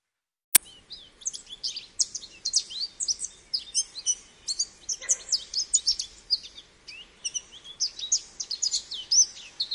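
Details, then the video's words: American goldfinch singing a long, energetic stream of high twittering, slurred and swept notes after a sharp click at the start. "American Goldfinch Call | American Goldfinch Singing | Goldfinch Sounds"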